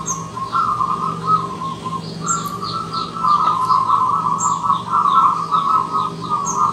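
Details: A wild zebra dove arrives as a visitor. It gives a steady run of soft, rolling coos at a low middle pitch, phrased in bursts with brief pauses, while faint high chirps from other birds sound now and then.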